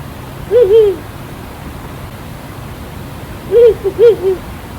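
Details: Ural Owl in Nagano Prefecture, Japan, giving deep, mellow hoots: a two-note phrase, then a four-note phrase three seconds later, over a steady background hiss.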